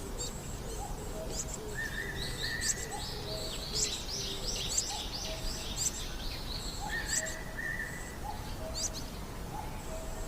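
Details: Coal tit adults bring food to nestlings at a tree-hole nest, giving very high, thin calls and clusters of quick, twittering notes, with steady whistled tones that return and some soft, lower notes over faint steady noise.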